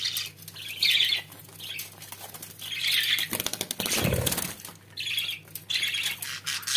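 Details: Pet budgerigars indoors, warbling scratchy chatter in bursts with high chirped accents, interrupted midway by a loud flurry of wing flapping and thumps, then chattering resumes over a low hum.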